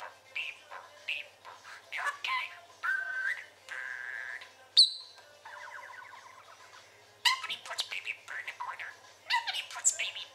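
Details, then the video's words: Pet parakeet, chatty and trilly: busy squeaky warbles and short whistles, a steady nasal note, then a clear evenly pulsed trill lasting about a second before a burst of quick scratchy chatter. "Chatting and Trilling"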